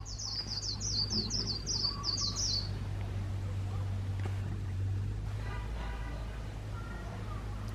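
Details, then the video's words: Trapped decoy white-eye in 'líu' song style: a fast burst of very high, thin twittering chirps for about three seconds, then a man talking over steady low hum. "Khuyên mồi líu cực hay - Mata puteh bird singing"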